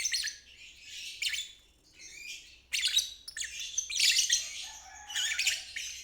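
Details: Lovebird 'ngeriwik' chatter, used as therapy for stalled birds and young birds learning. Intermittent raspy, high twittering phrases separated by quieter gaps, with a louder burst around the middle.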